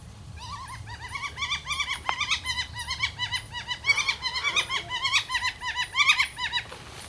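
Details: A baby flicker calling noisily from a small wood pile in a backyard: rapid, repeated buzzy notes with wavering harmonics, coming in quick bursts several times a second and continuing without pause.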